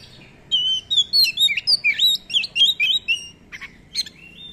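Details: Oriental magpie-robin (kacer) singing in a lure recording with long rolls and many filler phrases: rapid, loud series of sharp whistled notes, slurred upslurs and downslurs about four per second, tapering into softer phrases.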